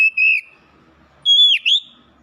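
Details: Contest-champion oriental magpie-robin: a clear high whistle, a pause, then a loud whistled note swooping down and back up, with a short extra whistle.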